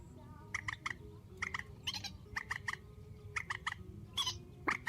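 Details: Grey-headed swamphen giving a strong call in a spliced night recording: clusters of two or three loud, nasal, harmonic notes repeated in bursts, with a low steady hum underneath.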